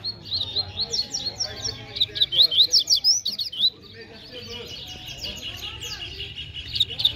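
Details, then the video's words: Competing Double-collared seedeater, called fast and strong: a dense, nearly continuous stream of rapid high chirps and twittering trills, loudest in the first half, then a quieter run of jumbled warbled phrases over a low background rumble. "COLEIRO LE BRON DISPUTANDO NA BADERNA"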